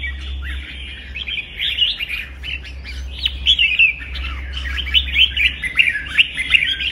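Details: Caged red-whiskered bulbul trained for singing contests, delivering a fired-up, intense song: rapid runs of bright chirping, warbled notes in quick, busy phrases, growing louder toward the end over a steady low hum.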